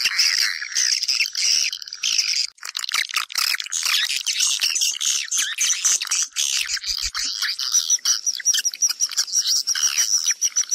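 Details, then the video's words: Swiftlets in a lure sound for a swiftlet house: steady, dense, high twittering and raspy chirps from many birds, with a faint thin whistle repeated toward the end. "Âm thanh dụ Yến vào nhà"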